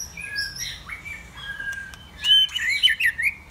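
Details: White-rumped shama song with soft level whistles at first, then a louder burst of twisting, warbled notes and a bright high whistle near the end.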